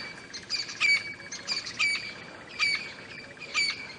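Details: A distant francolin shouts at sunrise, 7 AM on 24 October, at a South African game reserve, giving harsh, grating squawks roughly once a second in a rough, uneven rhythm under a possibly rainy sky.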